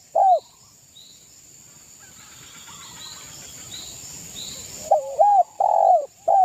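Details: East Javan spotted dove singing to goad rivals: one loud coo, a long quiet stretch with faint high chirping from other birds, then a run of rapid hollow coos ending the phrase.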